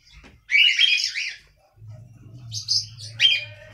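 A cockatiel sings a burst of warbling, chattering whistles, pauses, then adds shorter whistled phrases.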